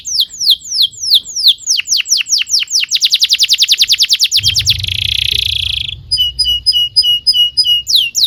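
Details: Canary singing for tutoring young birds: rapid descending sweeps accelerate into a fast trill, then a dense buzzy roll, followed by short clipped notes and another downward slur.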